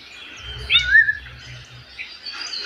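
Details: Rufous-bellied thrush singing a brief fluty phrase of two or three clear slurred whistles, one rising, one falling, over a faint low hum.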